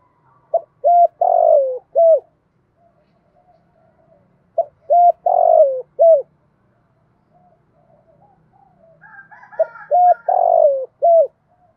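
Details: A spotted dove, kept as a calling decoy, gives soft, hollow coos in short phrases, repeated every few seconds.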